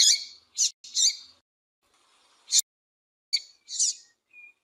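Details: Calls of a female double-collared seedeater, used to stir up males: a run of short, sharp, buzzy chips in small clusters, with pauses between them and a faint thin whistle at the end.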